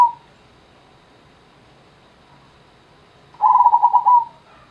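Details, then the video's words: After a long silence that opens with the tail of a coo, a zebra dove delivers one fast, staccato, bubbling coo phrase lasting under a second. "Perkutut Gendowo Sabdo"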